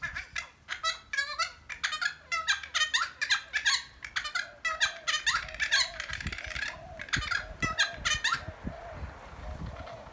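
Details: Two noisy friarbirds chatting in a holly fuchsia shrub, giving rapid harsh squeaky and cackling notes in quick irregular bursts, crowding the first eight seconds before tapering off, with low rumbling background noise.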